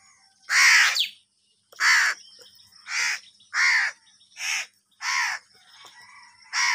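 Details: Crows squabbling over food give a string of seven hoarse, grating caws, roughly one every second. Each is short and harsh, and quieter rasps fill the brief pauses.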